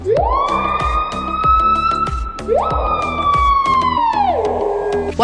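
Screaming piha giving two loud, ringing whistles, each sweeping sharply upward and held, the second sliding down at the end; a beat of music plays underneath.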